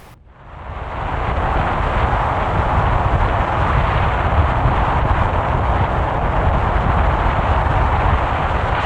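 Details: A steady, broadband rumble of engine or wind noise builds in the first second and holds, with no animal calls.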